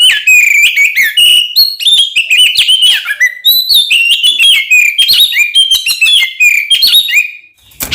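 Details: Fighting-style Oriental magpie-robin song meant to make other magpie-robins aggressive: continuous, fast and varied whistles, rising and falling slurs, and clicks that run almost unbroken for over seven seconds.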